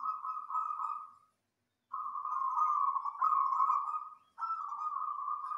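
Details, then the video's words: Local wild zebra dove master song, loud and dense, for teaching other birds: long trilled coos run almost continuously, a brief silence after the first, then three linked phrases. "Masteran perkutut lokal cocok buat pancingan suara keras padet"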